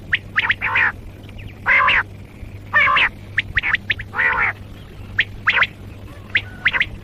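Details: Common quail calling in grating, harmonic bursts, some longer and lower, mixed with short high clipped notes, spaced irregularly about once a second over a constant low hum.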